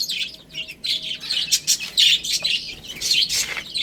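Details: Baby hens at a meal of spinach, with dense high cheeping partly blurred by rustling and crackling feeding noise.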